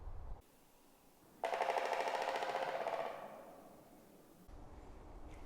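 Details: Pileated Woodpecker drumming in spring in the woods, the loud courtship drumming: one rapid, resonant roll lasting about a second and a half, loud at first and then fading, against a quiet background.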